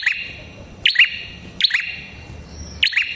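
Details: Red-headed prenjak, a prinia, singing lively as a lure for prinias: loud clipped double chirps, a high bright note sliding into a lower buzz, four bursts in quick irregular rhythm.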